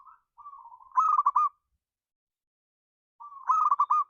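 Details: A local zebra dove (perkutut) used as a lure sound sings a soft mid-pitched coo that breaks into a quick stuttering run of clipped notes, given twice about three seconds apart.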